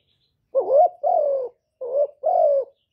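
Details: Spotted dove, a decoy bird's cooing used to stimulate and lure other doves: two paired phrases of low, mellow coos. Each pair has a short rising note followed by a longer, falling, hollow coo. The background is silent.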